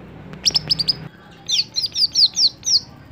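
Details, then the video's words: Greater green leafbird, caged and kept for contests, delivering high, sharp downslurred whistles in quick succession, first a tight cluster, then a steady run of about eight, over low background hum. "Ketika Cucak Hijau Sudah Tidak Jalan Gantangan"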